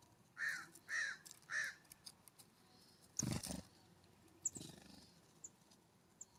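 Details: California scrub-jay visiting a ground feeder on a warm September morning in fall; three rasping, scratchy notes about half a second apart open the sequence, followed by heavy thumps and knocking, likely from the feeder.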